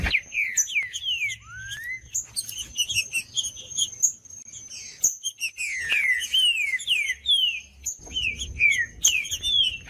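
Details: Singing green-winged saltator, played to get a silent bird singing again: a long series of quick downslurred whistles in bursts, one rising whistle near the start, a constant high faint tone behind, low rumble at times.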